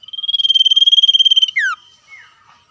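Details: Lively trilling song of a common iora answering wild birds: one steady pulsed buzz lasting about one and a half seconds ends in a quick steep downward slur, followed by fainter notes.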